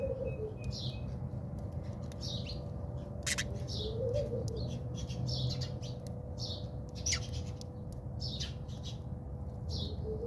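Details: House sparrows fighting in a backyard in South Africa: bright, short chirps repeat in irregular bursts from several birds, over a steady low hum and a faint tonal drone.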